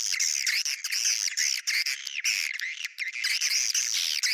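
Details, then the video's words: Swiftlet calls of the 'bintang utara' lure style, meant to appeal to swiftlets: continuous shrill, wavering twitters in two high bands, with brief breaks near the middle. "Sp yg d sukai burung walet.sp bintang utara"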